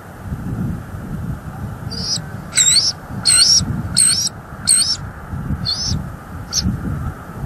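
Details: Wild bald eagle at a nest tree in northeast Florida, Hamlet area, recorded by a live nest cam on January 14, 2023, with a pair coming and going: short bursts of high chattering notes repeat about every half second over steady low wind rumble.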